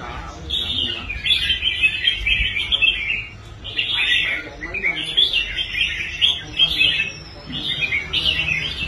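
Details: Caged red-whiskered bulbul, once a bird that quit competing and was rehabilitated, now performing well on its stand; bright warbled phrases around high pitch come in bursts of one to three seconds separated by short pauses, with faint voices behind.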